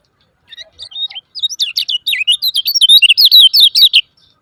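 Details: Lemon-bellied white-eye (kecial kuning) 'ciak ciak' calls used as a lure to make silent birds sing: rapid run of high, sharp chirps and twittering notes, building louder toward the end, about two a second, clean background.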